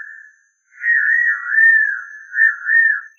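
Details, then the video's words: In the caatinga a white-naped xenopsaris sings a thin whistle that breaks off, then a long continuous warbling phrase that rises and falls in gentle swells. No other sounds. "O INCRÍVEL CANTO DO RAPAZINHO-DOS-VELHOS | João-tolo cantando na caatinga"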